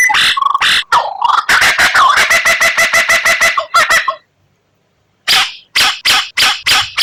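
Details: White-rumped shama singing a rare 'tembakan' style song, used as training material for caged songbirds: rapid bursts of harsh repeated notes about three per second, then a short silence, then more loud clipped notes.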